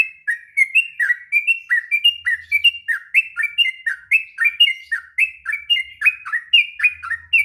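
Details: Long, unbroken sooty-headed bulbul song used to train young birds, fast chattering whistles rolling up and down in quick succession, a faint low hum in places.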